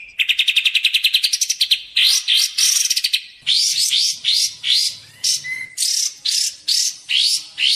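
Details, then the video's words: Sooty-headed bulbul song used to lure and train birds: a quick rattle of clipped notes, then repeated rising, slurred phrases about once per second, with a brief steady whistle mid-sequence. "suara burung kapas tembak | suara pikat kapas tembak!!! cocok buat pikat dan masteran"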